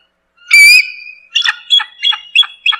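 Bald eagle giving one drawn-out, thin whistle, then a quick run of five short, high, chattering notes about a third of a second apart.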